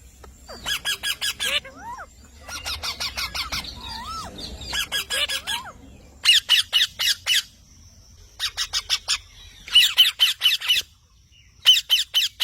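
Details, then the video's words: Green parrot repeating loud, harsh squawks in fast rattling series of five to eight notes, each series lasting about a second, with brief bent whistles in between and pauses of roughly a second separating the bursts. "Green parrot"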